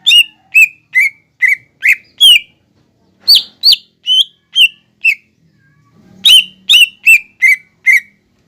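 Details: Training song of a green leafbird, described as filled with imitations of fighting sparrows, lovebird and kolibri: a series of loud, sharp, downslurred chirps given about twice a second in groups, with a faint low hum near the end.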